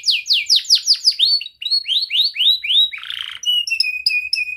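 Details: Young canary's tutor song for young canaries: a fast series of sweeping downslurred chirps, a brief harsh buzz, then evenly repeated clipped whistled notes.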